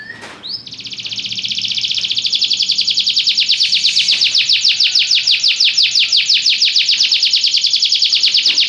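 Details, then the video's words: Song of a Belgian canary: a brief rising note opens a long, sustained rapid trill of evenly repeated high pulses lasting most of eight seconds. "espetacular canto canário belga"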